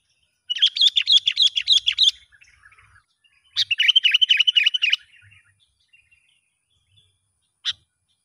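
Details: Wild sooty-headed bulbul heard during a test of a young lure bird: two rapid bursts of bright, bubbly repeated notes, each lasting about one and a half seconds, with a single sharp click near the end.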